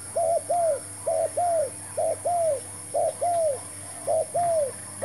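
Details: Spotted dove, apparently a decoy brought to lure and trap wild spotted doves, gives soft, hollow coos in pairs, a short note then a longer downslurred one, repeated about every second, over faint background hum.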